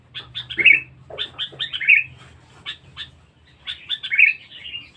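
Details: Sooty-headed bulbul used for luring, said to be loud and aggressive: clusters of short clipped chirps building into rich slurred whistled phrases, over a faint low hum.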